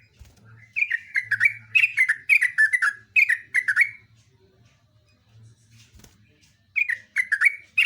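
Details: Yellow-vented bulbul pouring out a lively, long chattering phrase of bright, falling bubbly notes repeated almost twice a second, a pause with a soft tap, then another burst of chirps, low hum in the background.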